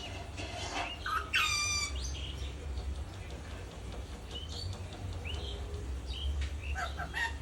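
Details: Lutino rose-ringed parakeet, a yellow talking parrot, utters one loud harsh downward-sweeping squawk early on, then scattered short chirps and rising notes, with a constant low hum underneath.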